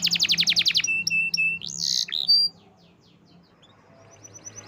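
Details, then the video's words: Canary song: a rapid loud trill, flat whistled notes, a harsh rising squawk-like phrase and a brief whistle, then quiet with faint distant repeated chirps. "Natural Sound of Forest Birds Chirping || Canaries"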